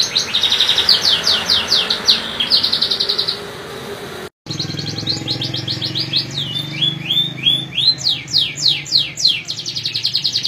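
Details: Canary singing: fast rolling trills of high, sharply down-slurred notes, then buzzy phrases and rising sweeps, with a brief silent break partway through. Faint low background hum.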